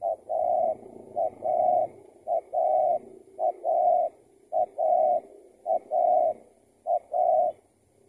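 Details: Spotted dove answering a decoy while being trapped, the catch turning out to be someone's escaped tethered decoy; loud, even low coos, each a short note then a longer one, repeated regularly about once a second.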